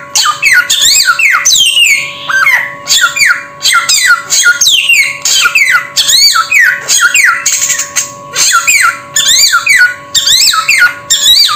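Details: Samyong bird calling almost continuously with harsh, buzzy squawks and swooping whistled notes in rhythmic bursts, over a steady low electrical hum.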